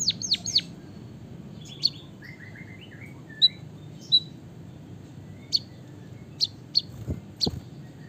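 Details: Captive White-headed munia, singing with canary-style long rolling phrases, gives high, thin chips and short whistles at irregular intervals, opening with a quick run of falling notes, over a low steady hum.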